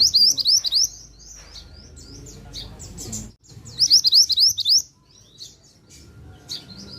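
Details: Pied bushchat singing in two bursts a few seconds apart, each a quick string of sharp, rising, slurred high notes with softer chips between. A faint steady tone and low rumble run underneath.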